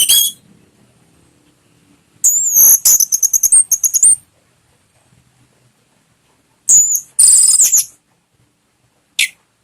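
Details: Orange-headed thrush song used as a lure to get a kept bird singing: loud, high, buzzy phrases mixed with rapid chattering notes in bursts separated by silent gaps, ending with a short sharp note.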